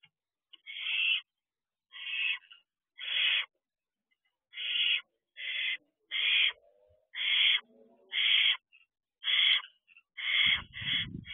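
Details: Harsh hissing screeches from barn owl owlets on a perch at their owl box on a June evening, 8:34 pm, repeated roughly once a second for about eleven seconds, with a faint low rumble near the end.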